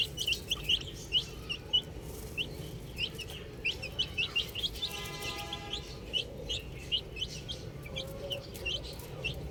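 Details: Chicks playing with a ball utter scattered piercing peeps, single sharp chirps spaced irregularly with short gaps, plus a brief buzzy rasp midway and low background hum.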